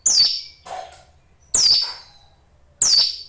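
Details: Kept hill prinia calling with high, abrupt, downward-sweeping notes about every one and a quarter seconds, plus a lower, softer chirp after the first note.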